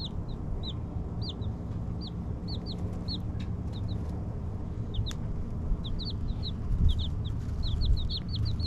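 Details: Young Silkie chicks in a group give thin, high peeps that arch and drop, about one per second with irregular spacing and frequent overlaps, over a constant low droning background.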